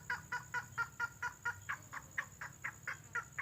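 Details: Lure call of a red-headed lovebird, recorded for luring birds: clipped, raspy chattering notes given in an even series of about two a second, with a steady high-pitched electronic whine behind.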